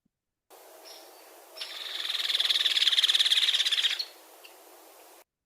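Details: Hairy Woodpecker rattle call, used in territorial encounters between two males or two females and described as drier and louder than a Downy's: a fast, dry, evenly pulsed high rattle lasting about two and a half seconds.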